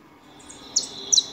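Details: Two thin, bright chirps, each dropping quickly in pitch, come from saffron finches feeding at a house. They are heard over a soft hiss.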